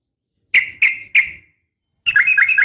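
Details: Sooty-headed bulbul female calling a male, a fighting call used to prompt bulbuls to reply; three clear, ringing downslurred chips, then a rapid run of bouncing notes.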